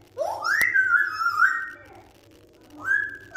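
An African grey parrot gives a clear whistle that swoops up and holds, wavering, for over a second, then a second shorter whistle after a pause, indoors.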